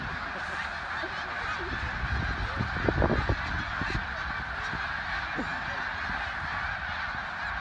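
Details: Massed snow geese calling at Middle Creek, Pennsylvania, on a February 2024 morning. There is a ceaseless high-pitched clamour of countless honks, with a brief cluster of louder calls about halfway through.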